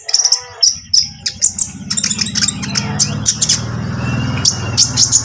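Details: Konin lovebird giving trotol-style calls to provoke a rival bird: quick, shrill high chirps and trills throughout, over a steady low droning hum in the background.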